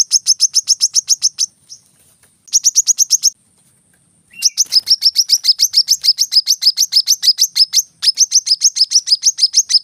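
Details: Brown-throated sunbird song used as training audio for kept birds: rapid series of sharp high chirps in bursts, about three per second then faster, with brief pauses between phrases.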